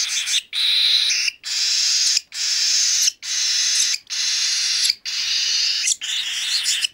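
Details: Hand-reared cockatiel chick, three weeks old, giving rhythmic rasping food-begging calls: noisy, hiss-like bursts of under a second, repeated steadily about once per second with brief gaps.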